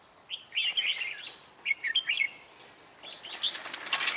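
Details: Red-whiskered bulbul singing as a trapping decoy, with lively whistled, slurred chirps in two short bursts, then rustling and a brief flutter at the end, over a steady high hum.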